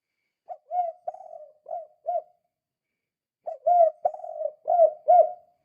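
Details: Lure recording of a lively spotted dove in 'kuk 2' style: two phrases of four to five soft, rounded coos, the second louder, separated by a silent pause of about a second.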